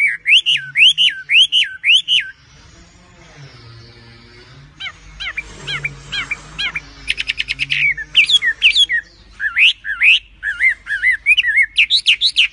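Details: Chestnut-backed scimitar babbler (Pomatorhinus montanus) song: loud, clear whistles, each rising then dropping, repeated about twice a second in several runs, with a break of low hum and hiss between them.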